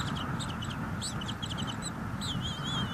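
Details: At a northeast Florida bald eagle nest on 23 March 2022, two eaglets eat a big fish delivered by a parent; quick high chittering notes in clusters, then one long wavering whistle, over constant low rumble from the nest camera.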